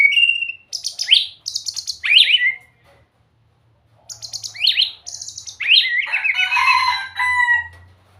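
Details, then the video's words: Loud, varied white-rumped shama song: a clear whistle, then rapid buzzy bursts and sharp sweeping slurs, a brief pause, and a final stretch of rich, tumbling warbled phrases. "เสียงนกบินหลาดง ร้องเสียงเพราะ"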